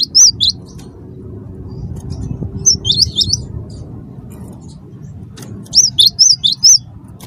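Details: Cinereous tit, wingko type, used as a singing lure: scattered pairs and trios of thin, high, arched whistles separated by quiet gaps, over a steady low background hum.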